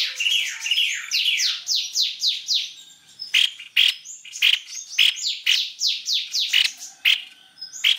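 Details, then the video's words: White-necked babbler lure call: a quick cascade of falling whistled notes, then a steady series of sharp high chirps repeated roughly twice a second with softer whistles between. "pancingan tepus leher putih"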